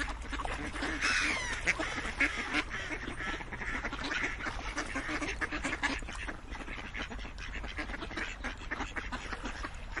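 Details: Many ducks quacking loudly and continuously, harsh nasal calls tumbling over one another in a dense, uneven chorus for the full ten seconds.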